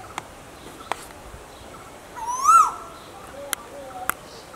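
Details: An Asian koel (Eudynamys scolopaceus) gives a single loud whistled note that swoops upward and fades, against a quiet background with a few sharp clicks.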